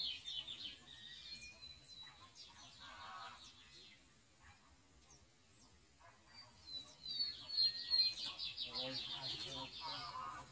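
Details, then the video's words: Lined seedeater from a Brazilian breeder, a bird of open grassy fields and scrub, delivering fast buzzy trilled phrases at the start and again in a loud burst later, with quiet gaps between. "Duas cenas do bigodinho na pegada!"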